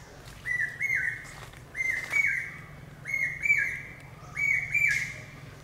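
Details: Shrill whistled pi-peeah calls of a common hawk-cuckoo, the brain fever bird, four two-note phrases about every 1.4 seconds, each second note higher, over faint low hum and scattered clicks.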